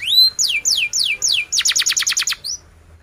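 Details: Canary song phrase: a rising whistled slide, then a series of quick descending sweeps, followed by a rapid, evenly pulsed high trill and a final short chirp.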